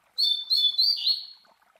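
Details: Master Coleiro's classic Tui Tui Zel Zel song, meant to teach young Coleiros and Papa-capins: a series of three clear high whistled notes followed by a lower warbling phrase that fades out.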